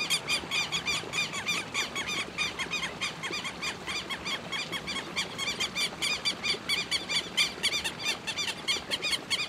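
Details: Southern lapwing calling continuously: harsh, buzzy notes tumbling over one another almost without break, as if several voices overlap, for nearly ten seconds outdoors.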